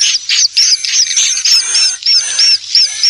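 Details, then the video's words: Swiftlets' attraction call: quick, sharp hooked chirps in a shrill series, some three a second, each rising then dropping, with a thin steady whine above and a soft low hum. "Call Swallow Birds"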